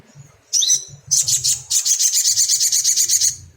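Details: Crimson sunbird used to provoke untrained caged birds into song: a sharp rising note, a few loud chips, then a steady, high, rapidly pulsed trill.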